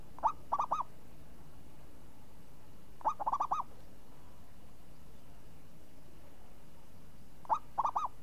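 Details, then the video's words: A champion zebra dove repeats its crisp, swinging song three times, each phrase a quick cluster of three to five hollow arched coos, separated by pauses of roughly three to four seconds, over a faint hum. "Perkutut Juara Suara renyah ngayun"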